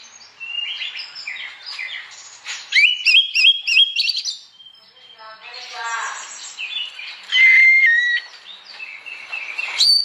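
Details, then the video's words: Oriental magpie-robin in animated morning song that stirs other magpie-robins to sing along; buzzy phrases, a series of repeated looping whistles, rasping bursts, and a long pure steady whistle near the end. "Burung kacer gacor pagi hari, bikin emosi kacer lain supaya ikut bunyi.."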